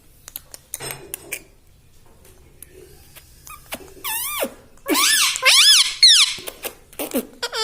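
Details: Pet parrot talking: quiet clicks and rustles at first, then a run of loud, shrill, bending syllables in the second half, ending with a few sharp, high squeaks.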